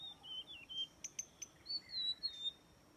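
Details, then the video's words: White-rumped shama song used to lure birds into a trap: thin, high whistled notes sliding downward, then three short sharp ticks and a few drawn-out falling whistles, fairly quiet over a steady background hiss. "Jebakan burung murai batu"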